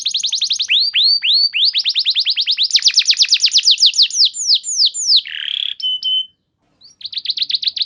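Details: Training lure song of a canary: fast repeated downward-sweeping notes in long runs, a harsh lower note, a brief pause, then another quick burst of repeated notes.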